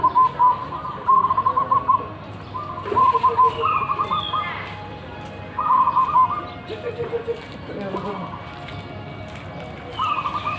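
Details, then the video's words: Repeated bubbling coo phrases from local zebra doves with big voices, closely spaced and overlapping across ten seconds, each a fast run of clipped notes, accompanied by chirps and high whistles of other birds. "Perkutut lokal alam suara besar"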